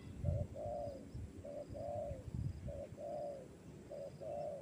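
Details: Fighter spotted dove in a training session; a regular cooing pattern of one brief note and one drawn-out, slightly falling coo, repeated four times, with low thumps and noise beneath.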